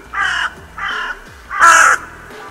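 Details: Crows at a winter feeding site, the Steinrevier, on 6 January: three hoarse caws, the first two moderate, the third louder and harsher.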